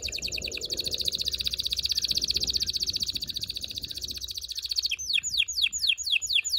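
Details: Strong canary song aimed at preparing birds for mating. A continuous rapid trill runs for about five seconds, followed by a series of sharp down-slurred notes.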